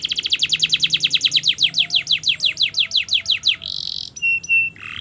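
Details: Canary song for training young singers: a long rapid series of repeated falling whistles that slows gradually, followed by a short buzzy note and level whistled tones.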